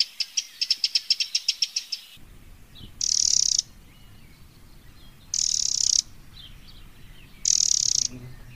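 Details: Wild Eurasian wren: a run of about a dozen rapid high ticks, then three separate harsh, buzzy churring bursts, each under a second long, over a low background hum.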